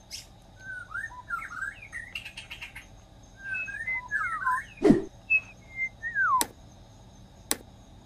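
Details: White-rumped shama singing in the wild: a varied run of clear whistled notes, slurred up and down, with short buzzy bursts and a few sharp clicks, over steady faint background hum.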